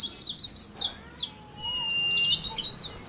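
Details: Caged Oriental white-eyes singing in the competitive ngalas style, used as therapy for a colony of caged birds: dense high twittering chirps in rapid overlapping runs, a brief lower whistle partway through.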